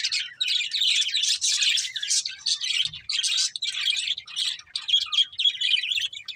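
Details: Budgerigars of a breeding pair chirping: dense, continuous warbled chatter of high buzzy and scratchy notes in quick bursts, with brief pauses, filling the clip.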